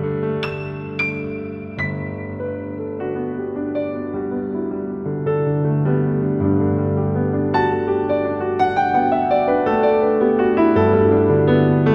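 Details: Only soft piano music plays, with sustained chords and a gently shifting melody; no animal voice comes through.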